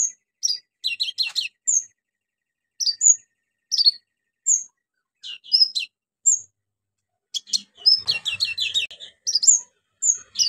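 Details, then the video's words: Orange-headed thrush in full, frequent song packed with imitated phrases, used to prompt silent birds to sing: short high whistled and chirping bursts, some sharp clear notes and dense chattering runs, separated by brief pauses, no background noise. "KONIN GACOR NEMBAK ISIAN PANCINGAN KONIN MACET BUNYI"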